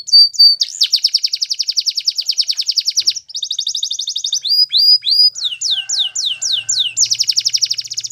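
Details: Belgian canary song delivered loud and clear: a long fast rolling trill, then a run of quick downslurred whistles repeated about twice a second, ending in another rapid trill; no other sounds.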